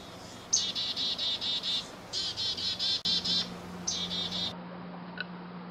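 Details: Chickadees fighting over a few seeds in Moncton, New Brunswick, give bursts of rapid, buzzy, harmonic notes, each run lasting about a second, with short gaps between runs and a steady low hum underneath.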